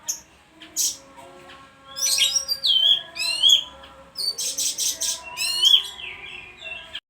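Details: Continuous bayeman song mixing loud chip notes, fast trills and high whistled slurs in quick succession, with a low hum underneath.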